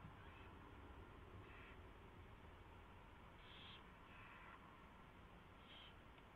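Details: Nest owl at 4:21 AM, 24 February 2016, while a mouse is delivered and fed; breathy rasping bursts come in an irregular series of about five, some drawn out, against constant low hum.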